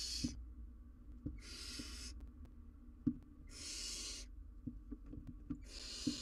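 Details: Barn owl owlet, wild, on a live camera while attempting to eat a massive jird; four breathy, rasping hisses spaced about one and a half seconds apart, with light tapping and rustling noises.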